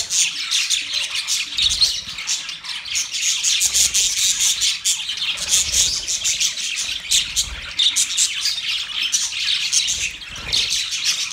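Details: Budgies chirping while mating: a long, unbroken stream of bright, rapid twittering and harsh squawks from several birds, staying loud throughout.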